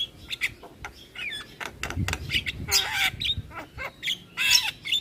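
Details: Javan myna lure song, full of mixed imitations, used to make other mynas answer: harsh squawks, short chirps and rising whistles in quick irregular bursts, with low background rumble.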